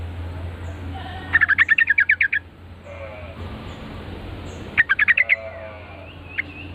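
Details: Yellow-vented bulbul singing in response to a lure call: two short bursts of fast, evenly spaced chattering notes, roughly three seconds apart, over a steady low hum.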